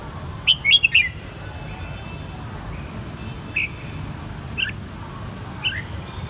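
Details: Pet red-whiskered bulbul in Saigon, raised since its white-cheek juvenile stage: a lively three-part burst of fluty warbled notes at the start, then single bright chirps spaced about a second apart over faint hum.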